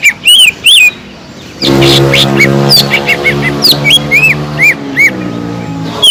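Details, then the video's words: Sumatran leafbird song meant to provoke rival birds: a few loud arched whistles, then a pause, then quicker slurred and curving notes over a steady low droning hum. "PANCINGAN CUCAK IJO GACOR INI SANGAT EFEKTIF BUAT CUCAK IJO KURANG EMOSI"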